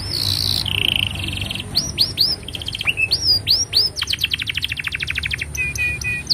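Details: Canary in long, continuous song, used as master song for tutoring young canaries and prompting silent ones to sing: high buzzy trill, lower rattling roll, rapid upswept whistles, then a fast even trill of sharp repeated notes.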